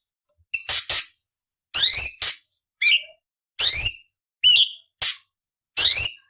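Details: Ruby-throated bulbul (cucak cungkok) harsh 'beset' phrases used as tutor material for other songbirds: spaced rough bursts carrying descending-then-rising slurred tones, plus short clear whistles, roughly one phrase per second.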